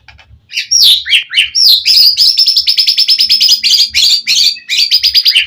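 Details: White-rumped shama in continuous 'gacor' song, played to provoke other shamas into answering and fighting: loud, fast rich phrases of high whistles and rapid repeated chattering notes, a brief soft low hum in places.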